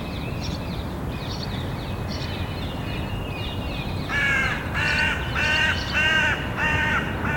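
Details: A Syrian woodpecker chick, one of three that fledged the week before from a nest beside a ministry building on Capitol Hill, begs with harsh, raspy squawks about twice a second, faint at first, then loud and insistent.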